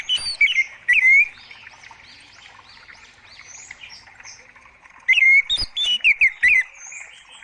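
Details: Orange-headed thrush song played as a lure to draw answering birds: two bursts of loud, clear warbled whistles, a short opening phrase then a longer varied run after a quiet gap with soft chirping behind.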